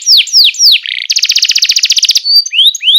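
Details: Canary song for teaching young canaries: three loud descending whistled sweeps, a short buzzy note, then a very rapid, even, rattling trill, followed by a thin whistle and two rising slurs.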